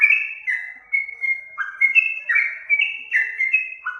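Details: Yellow-vented bulbul singing for use in teaching other birds: lively whistled phrases, some held level, others swooping down, loud at the start and running on without a break.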